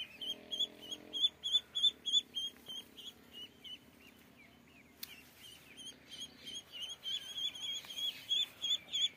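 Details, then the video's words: Duck chicks calling with shrill repeated peeps. A brisk series opens, softens into quieter wavering notes in the middle, then returns strongly, about three calls a second. "Duck Chicks"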